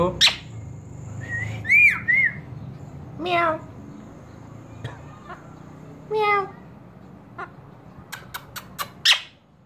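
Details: Pet parrot talking and whistling: sharp rising whistles, a wavering whistled phrase near two seconds, buzzy chattering bursts around three and six seconds, and a quick run of clicks and squeaks at the end over a low room hum.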